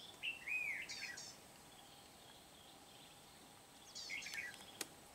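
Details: Red-whiskered bulbul decoy used to trap wild birds at Kim Bôi, Hòa Bình, Vietnam, on 8 September 2019, very lively; two short liquid warbled phrases, the first sliding down, separated by about three seconds of quiet.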